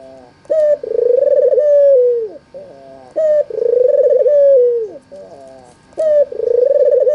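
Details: Repeated cooing from a white, red-eyed albino Barbary dove, played so other doves answer: three phrases about every 2.7 seconds, each a short rising note then a long vibrating purr ending in a downward slur.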